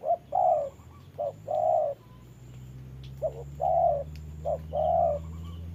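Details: Trapping decoy spotted dove fighting a wild bird in wet weather: soft hooting coos, each clipped note followed by a drawn-out one, four pairs with a pause midway, steady low hum behind.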